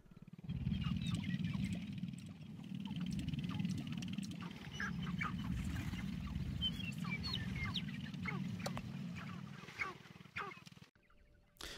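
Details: Sharp-tailed grouse males dancing on a spring lek in Colorado, with a female arriving, give a low, rapid rattling drum of about four beats a second, with scattered high clucks and cackles above.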